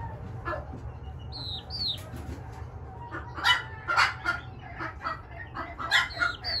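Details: A 3-week-old pheasant x chicken hybrid gives a few thin, high, downward-slurred peeps, mixed with soft scratchy clucks and rustling bursts over a low steady hum.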